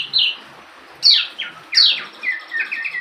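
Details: Branjangan, a local bush lark, in full-repertoire song: loud downward-sweeping whistles separated by pauses, then a rapid run of short chirped notes near the end.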